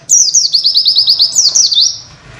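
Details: Oriental white-eye masteran song of the witwit kind, meant for other birds to learn: a quick run of roughly ten high, thin, downward-slurring whistles lasting under two seconds before fading.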